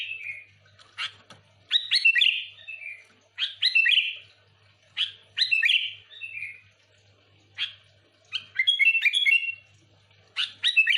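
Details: A sooty-headed bulbul sings lively, chattering phrases of bright slurred whistles, bursts coming every second or two with short gaps, some phrases run together, played to lure others of its kind.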